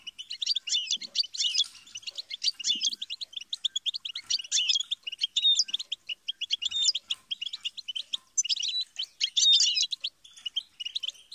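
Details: Sustained European goldfinch twittering: dense bursts of sharp chirps and liquid trills, high and rapid, running for over ten seconds with short pauses.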